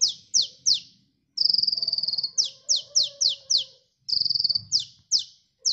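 A sunbird sings high, sharp downslurred notes, each lasting about a third of a second, broken by fast, buzzy trills. A lower faint whistle sounds in the background.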